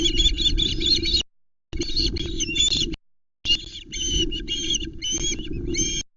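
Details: Osprey chicks at the Loch Arkaig nest in Scotland on 19 July 2020, three on the nest as a whole trout is delivered and contested. Sharp, whistled chirps come in rapid bursts, with a low steady rumble of wind beneath.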